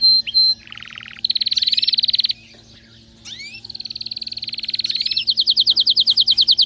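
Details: An excited canary sings fast: a short whistle, low rattling roll, high buzzy trill, sweeping slurs, a long rolling tour and finally rapid repeated chirps, with a faint low hum behind.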